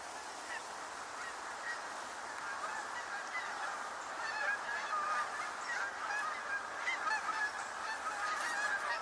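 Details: More Canada geese calling in October, a loose chorus of overlapping honks building over steady wind-like background noise.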